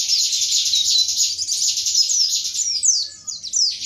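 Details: Pleci, an Indonesian white-eye, giving a dense rush of high twittering 'tembakan materi' song, bright whistled slurs over a buzzy base, ending in a series of downward-swept notes.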